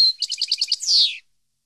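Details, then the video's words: European goldfinch singing, intended for tutoring captive birds; a brief whistle, then six quick liquid repeated notes and a loud buzzy descending trill, all high-pitched, followed by silence. "CD Canto Para Educar Jilguero"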